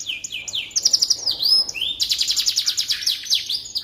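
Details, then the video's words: Canary song as a tutor recording for magpie robins: quick paired chirps, a wavering whistle, then a long fast trill of repeated notes ending in short downslurs. "Suara Burung Kenari Cocok Untuk Masteran Burung Murai Batu"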